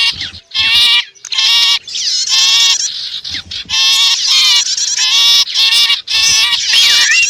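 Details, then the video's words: Mixed bird calls of sipu and prenjak (prinia) blended into a lure to draw wild birds close; loud, harmonic, buzzy notes in rapid chopped bursts, repeated with short gaps throughout. "Suara Ampuh Pikat Burung Kecil"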